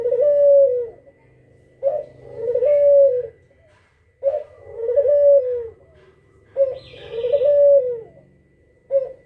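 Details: Kugeruk calling steadily as a lure for other birds to answer: four low cooing phrases, each a short burst and a drawn-out hoot, spaced evenly about every two and a half seconds.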